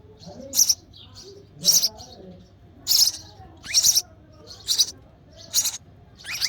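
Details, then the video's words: Hungry sparrow chick begging in the nest as its mother feeds it: six shrill, high, buzzy chirps, spaced about one second apart, over a quiet background. "Hungry Baby Sparrow: Sparrow Mother Feeding Their Chick in The Nest With Baby Sparrow Chirping Sound"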